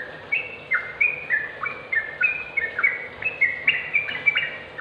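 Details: Tutor recording of a sooty-headed bulbul meant to make quiet birds start singing: steady series of chirpy, slurred whistles about a hundred per minute, mixed up and down in pitch, with faint hiss behind.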